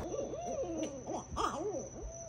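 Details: In the Everglades, several barred owls, answering imitated hoots, call over one another in wild wavering hoots that rise and fall, quickly building into a raucous, cackling chorus.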